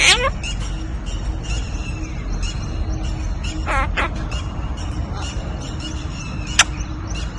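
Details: A captive Hahn's macaw in India, talking with a person, gives raspy, speech-like chatter broken by a few sharp squawks, over a steady low hum and faint background music.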